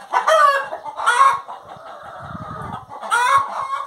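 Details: Hen vocalizing in drawn-out, harmonic phrases around two repeated loud bursts with a quieter, steadier stretch between them.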